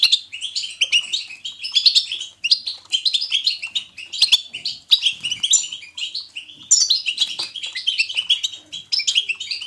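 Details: Lively European goldfinch 'betbeta' singing chosen to stimulate a pet goldfinch: continuous chattering twitter of high, quickly alternating notes in uneven bursts, with occasional sharp clicks.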